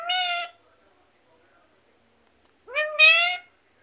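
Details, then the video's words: A parrot imitating human speech, two short voiced phrases with strong stacked harmonics, the second rising then held, separated by about two seconds of quiet. "mithu mithu mummy mummy"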